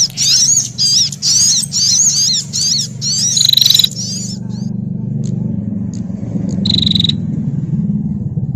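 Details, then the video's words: Frightened brown-throated sunbird alarm calls combined with prenjak for bird luring: about four seconds of quick high zigzag chatter bursts, then mostly a low rumbling hum with a few isolated faint notes and one short trill. "Suara Burung Sogok Ontong Kombinasi Prenjak Atas Ketakutan"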